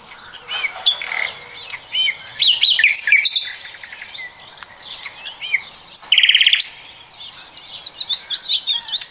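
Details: Song of a common nightingale, recorded in 2020, mixing whistled phrases, a loud rapid trill and, at the end, a quick series of repeated notes, with short pauses between phrases.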